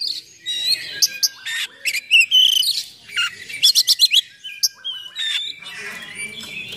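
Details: Oriental magpie-robin delivering full song with harsh filler phrases to provoke and tutor other magpie-robins; scattered sharp notes, then a quick run of five clipped high chips, and bright whistled slurs.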